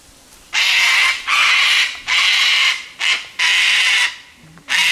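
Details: Cockatoo in the bush giving six harsh, raspy screeches in quick succession, each about half a second long, with brief pauses, alarmed at a person's presence.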